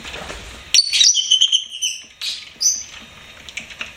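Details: Pet lovebird producing a loud burst of rapid, twittering high chatter with a drawn-out whistled note, then a pause and a couple of shorter squeaky chirps fading out.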